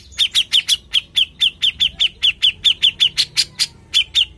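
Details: Grey-cheeked Bulbul singing actively: a steady run of about twenty sharp, bright chirps, roughly four per second, each a quick downward-bending note, evenly spaced over four seconds with a quiet background.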